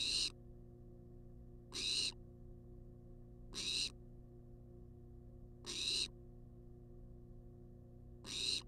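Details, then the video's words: Food-demanding barn owl, wild, recorded by a nest-box cam: five loud wheezy hissing screeches spaced about two seconds apart, with steady background hum. "Barn Owl Demands Food For 14 Minutes Straight"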